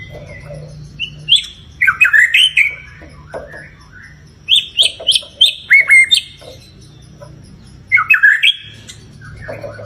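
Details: Shama song lure, white-rumped, meant to make a kept bird sing and get fired up: three clusters of quick, bright whistled and chattering notes separated by short quiet gaps, over a low hum.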